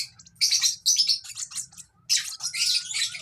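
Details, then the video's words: Baby lovebird chirps: quick clusters of shrill, scratchy tweets, a brief silence, then another dense burst of high chattering, over a faint low background hum. "lovebird sounds baby bird - lovebird chirping sounds"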